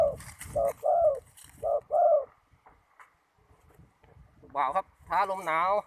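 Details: Spotted dove at a ground decoy trap in strong wind: several short and longer coos in pairs, then a pause, followed by a human voice.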